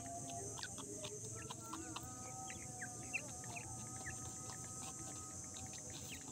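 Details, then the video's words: Jungli teetar (francolin) chicks playing in mud give scattered short, high peeps and chirps over a steady insect-like hum and a high continuous buzz. "jungli teetar chicks voice"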